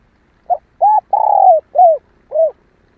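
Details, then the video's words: Full coo phrase of a female spotted dove used to provoke male calling: a brief pickup note, a short coo, a long sustained coo, then two falling arched notes. "Tiếng cu mái kích bổi nhanh nổi hiệu quả nhất."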